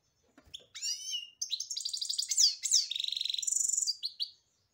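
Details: European goldfinch in full song: a varied stream of high liquid twitters, rising and falling slurs, and fast trilled buzzy phrases, nearly continuous for about four seconds.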